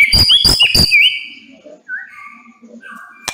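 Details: White-rumped shama (murai batu) singing in the sharp 'nembak pedes' style: a few hard broadband clicks open, then a clear looping whistle holds before softer, sliding whistled notes trail off, ending with a faint click.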